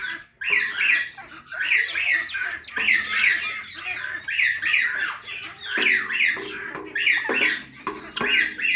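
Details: Parrots chirping, a natural recording: harsh, buzzy chirps in quick bursts of two or three, repeated about once a second over nine seconds, with brief pauses between phrases and no other clear sounds.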